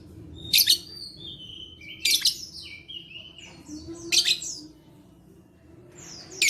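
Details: Lovebird vocalising, recorded as therapy to coax lazy lovebirds into singing, 11/4/21: four loud rasping chatter bursts roughly every one and a half seconds, linked by short falling chirps, steady faint hum underneath.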